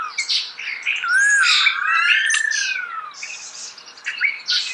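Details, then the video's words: Starling singing close up in natural surroundings: a varied stream of scratchy, buzzy notes and clicks, threaded with long clear whistles that rise and fall smoothly, the phrases running almost continuously. "The song of the starling"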